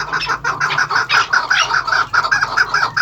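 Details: Chukar partridges of the maskati cross, first- and second-generation breeding pairs kept on a farm, giving loud, rapid clucking chuk notes repeated about two or three times a second, with a steady low hum underneath.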